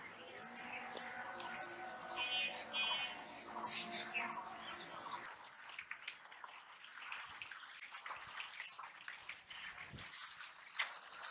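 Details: Australian kingfisher gives a fast series of sharp, high, piping notes, about three a second, growing quicker and more crowded near the end over a faint background murmur.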